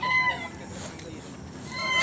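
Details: Green junglefowl (Gallus varius) at a crowing competition in Bangkalan, Madura, on 24 October 2021, hung up around 7 am, gives short, high, squeaky crows, one at the start and another at the end, over steady hiss and crowd noise.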